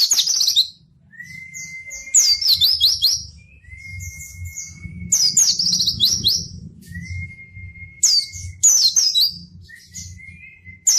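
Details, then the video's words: White-eye (pleci) singing in lively 'gacor' form, used to provoke and tutor reluctant white-eyes: bursts of rapid, high, chattering twitter notes near 2, 5 and 8.5 seconds, separated by a long, thin, steady whistle, over a faint low rumble. "burung pleci gacor!!! efektif untuk pancingan dan masteran pleci yang malas bunyi"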